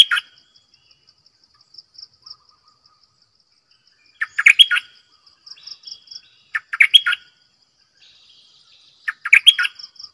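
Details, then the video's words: Decoy bulbul repeating short rich warbling phrases roughly every two to three seconds, with softer twittering between them and a persistent high-pitched pulsing background chirr. "เสียงนกดอกแตงEp.112 Birds sounds #นกต่อเจ้าขันเงิน Suara burung merbah lekir"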